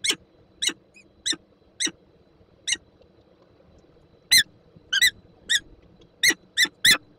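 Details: Peregrine falcon at a nest in Słupsk, Poland, 5 April 2022, around a prey gift and a meeting with its mate: short, sharp squeaky notes spaced irregularly, some louder and doubled, over a faint low hum.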